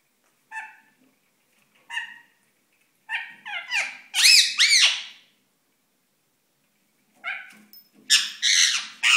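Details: Ringneck parakeet displaying in courtship indoors, calling in a series of harmonic chattering notes that grow louder and more sweeping, then a burst of harsh screechy squawks after a short pause.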